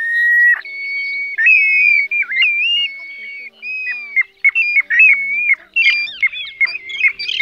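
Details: Mixed plover calls used as a lure for night net trapping, including several plover kinds: clear whistled notes, some held steady, others looping up and down or dropping sharply, in short bursts with brief gaps.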